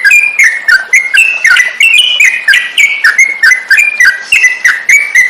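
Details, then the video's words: Masteran tutoring recording of a yellow-vented bulbul: a rapid stream of clear whistled notes, rising and falling, strung into bubbling phrases with click-like accents throughout. "burung trucukan cocok buat masteran"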